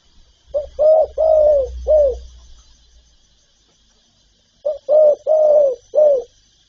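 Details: Spotted dove in a calling, urging and cooing set: two matching phrases of four deep, mellow coos, a brief first note and a drawn-out third, separated by about two seconds of quiet with a low rumble beneath the first.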